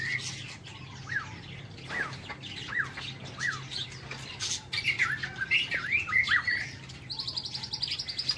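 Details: White-rumped shama singing in its aviary in the morning: repeated downward-slurred whistles, then a fast jumble of twisting warbled notes, ending in a high rapid trill, with steady low hum behind.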